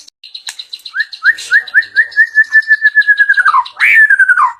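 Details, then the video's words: White-rumped shama showing off its rich isian (fill-in song phrases) for the first time: a run of short high notes, then upslurred whistles that speed into a falling trill, ending in a loud slurred phrase. "perdana murai bongkar isian mewah"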